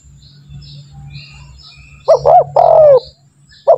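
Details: A spotted dove calls over a low droning hum after a quiet start. It gives two quick rounded notes and one long coo that slides downward, and a new phrase begins at the end. The recording serves as a lure for training doves to call.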